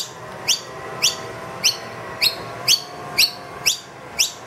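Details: Wild noisy miner with two young, loudly requesting food indoors once the feeder is bare: bright upward-flicking chirps repeated about twice a second, slightly uneven spacing.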